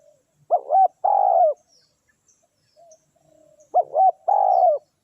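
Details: Decoy spotted dove luring wild doves, giving two phrases of two quick hoots followed by a drawn-out descending coo, with a long pause between them and faint soft calls in the gap.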